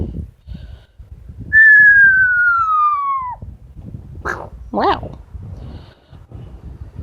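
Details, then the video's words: Pet female Amazon parrot at home giving one long clear whistle that slides slowly downward over about two seconds, followed by short squawky notes, with her owner speaking softly in the background. "The many sounds of Lily, an amazon parrot"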